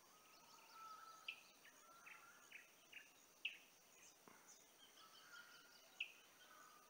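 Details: Female and male olive-backed sunbirds at Kingfisher Park Lodge, Julatten, far north Queensland, on 17 December 2022, give thin, sharp, high notes every two seconds or so, with fainter chirps and steady insect hiss behind.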